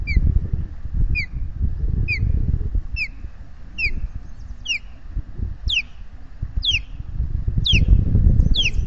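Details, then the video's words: Nesting Ospreys at Salt Point in New York's Finger Lakes, 12 May 2021, calling in alarm as intruders pass overhead: sharp upslurred chirps repeated about every half second, growing shriller, with strong wind noise beneath. "Intruders overhead"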